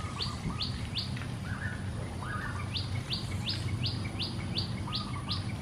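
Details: Golden-backed weaver flock calling raucously while building nests early in the morning in trees standing in a pond, Singapore; quick rising chirps in a rapid series, interrupted by brief lower warbled phrases, over constant low background rumble.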